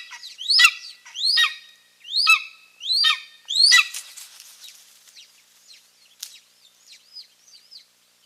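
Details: Golden eagle at a nest in Finland with two eaglets on 3 May 2024, both parents coming to the nest; five loud, sharp, downward-sliding yelps about a second apart, then a run of softer, thin chirps fading away.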